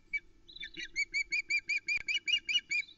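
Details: Osprey female at her Loch Arkaig nest on 2 July 2020, demanding fish after her mate flies off with a trout; a series of about a dozen bright, rhythmic piping notes, roughly four per second, over a low camera hum.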